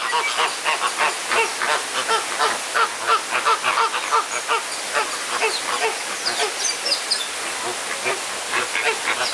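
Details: A flock of flamingos fighting in a cramped enclosure at Jardin Botanique de Deshaies, Guadeloupe, gives continuous rapid honking. Nasal calls tumble out nearly three per second over constant background hiss.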